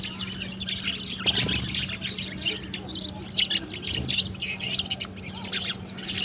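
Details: Several sparrows chirping in the morning while they play with water and drink: rapid, high, overlapping tweets forming a lively chatter throughout, with a faint low hum underneath.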